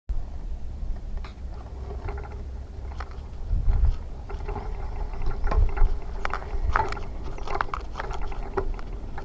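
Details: Irregular mechanical clicks and clattering over a low rumble, like gear being handled, with no animal voice evident.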